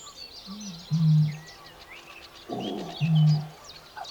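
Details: In a reedbed, a Eurasian bittern gives two deep, foghorn-like booms about two seconds apart, each after a soft lead-in grunt, while thin warbler song, likely sedge warbler, chatters faintly in the background.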